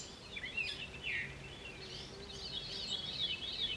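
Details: A catbird, recorded 10 July ('13), sings a rambling run of squeaky, warbled and mewing phrases, jumbled and varied with no set pattern, over a steady background hiss.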